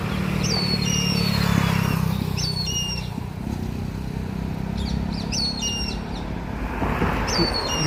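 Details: Several Indian grey hornbills, young birds, calling together about 50 feet overhead in a Nilgiri tree: repeated high thin descending whistled notes, some doubled, over a heavy low rumble of background noise.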